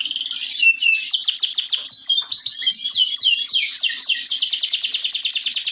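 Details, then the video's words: Local canary song for training other birds: loud, continuous rapid trills of sweeping, slurred notes at high pitch, pulsing in quick repeated syllables throughout. "masteran terapi suara kenari lokal"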